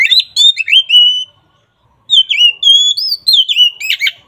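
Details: Oriental magpie-robin in full song, played as a lure for a magpie-robin reluctant to sing: rich, varied whistled phrases with slurred rising and falling notes and quick chatters, one pause mid-way.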